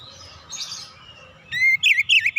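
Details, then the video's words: Oriental magpie-robin relaxed song, played to provoke young birds into singing: soft background twitter, then in the last second a loud run of three or four swooping whistled notes. "kicauan nyantai pancingan ampuh Kacer bahan cepat gacor"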